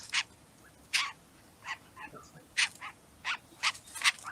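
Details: Canada Jay, also called gray jay, giving the call most likely heard in the forest during a Manitoba winter: a series of short, harsh, noisy bursts spaced about half a second apart, with a faint hiss behind.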